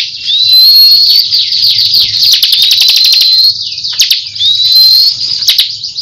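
Bar-winged Prinia singing a loud, high, nonstop stream of rapid chattering ticks and buzzy trills, with thin rising whistles woven through.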